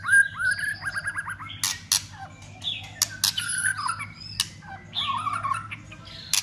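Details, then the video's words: Fighting song of a White-rumped shama, used to rouse other shamas, with constant clicking and tail-flicking; a rapid run of repeated whistled notes, then varied warbles and harsh notes mixed with many loud snapping clicks. "Chòe lửa kích lửa cực sung ,tạch liên tục đập đuôi kích chòe lửa lên lửa hót đấu.chòe lửa hót"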